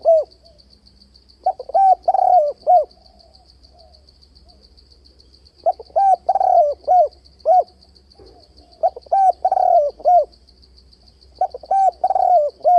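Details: Spotted dove calling as a trap lure, in a varied-voice style with continuous 'bo' notes: mid-pitched bursts of four to five short, clipped coos ending in a longer drawn coo, repeated about every three seconds. A faint steady high ticking sounds throughout.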